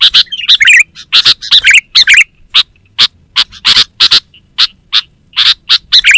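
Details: Sooty-headed bulbul (kutilang), a lively recording used as a lure for wild forest birds and as a master for training caged birds: rapid sharp chattering notes repeated in bursts, with bubbly, rolling phrases among them, and a faint steady high tone.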